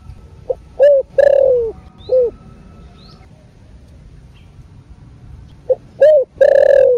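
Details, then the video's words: Spotted dove singing in the thổ rền voice, played to rouse caged birds. Two hollow cooing phrases about five seconds apart, each a quick pip, two coos and a long falling note, then a brief final coo. "CỤC CÚC CU KÍCH BỔI ( THỔ RỀN )"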